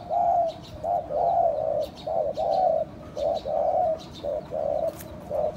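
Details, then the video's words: Spotted dove call meant to lure other doves: loud, continuous run of hollow coos, short and drawn-out notes alternating, about one per second, with faint ticking sounds higher up. "chim cu gáy , kích bổi siêu nhanh"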